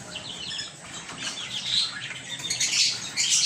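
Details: Lovebirds in a home aviary, softer scattered chirps at first, building to louder, shrill squeaky chatter toward the end.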